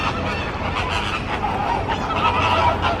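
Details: Large flock of flamingos on the move at Busch Gardens Tampa Bay, Florida, calling loudly together: a dense, continuous chorus of nasal honks overlapping with no pauses.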